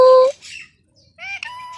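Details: Indian ringneck parakeet kept as a talking pet, a clear steady whistle, a pause, then a nasal, speech-like harmonic phrase.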